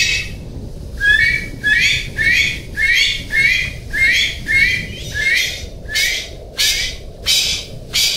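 A golden pheasant gives a steady run of harsh, rasping calls, about a dozen, spaced roughly every half second, over a faint low rumble.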